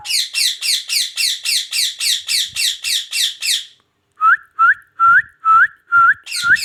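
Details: Pet ringneck parrot from Pakistan giving a rapid string of about a dozen harsh, descending screeches, followed after a pause by a series of short rising whistled notes roughly twice a second.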